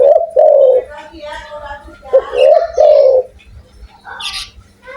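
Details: Indonesian Spotted dove known for a big voice, producing low drawn coos in two phrases, overlaid by a human voice and a high bird chirp near the end.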